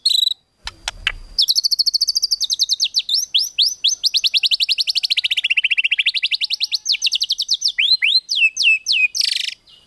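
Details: Rapid crackling song of a white-rumped shama used to provoke other birds: after a few sharp notes, a long, fast, even string of high clipped chips sweeps down and back up, ending in steep downslurred whistles.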